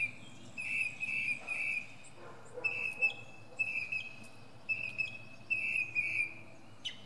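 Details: Northern mockingbird performing from a pine treetop, part of a varied repertoire. Steady, clear whistled notes are held in pairs and runs, with brief higher accents between them and a soft lower murmur underneath.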